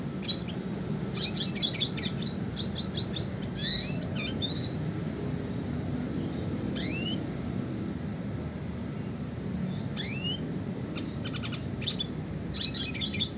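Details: Red siskin classic song used to train other songbirds: scattered high chirps and twitters with several quick upward-sweeping whistles spaced a few seconds apart, gaps of quiet between, steady low hum behind.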